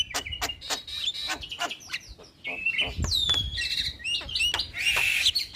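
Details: Young starling training recording, played routinely so lazy birds start singing often: varied bright chirps, short whistled slurs and harsh buzzy bursts, with quick repeated notes at the start and a loud rasping burst near the end.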